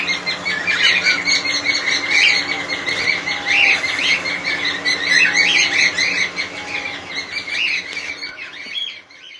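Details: Many cockatiels in a colony calling at once, sharp chirps mixed with occasional squawks and squeals, a soft lower whistle now and then, the chorus fading near the end.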